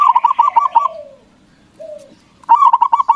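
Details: Zebra dove, local type, singing loudly to draw answers from rivals: the tail of one pulsed cooing phrase, soft falling whistles from another bird, then a fresh rattling run of coos.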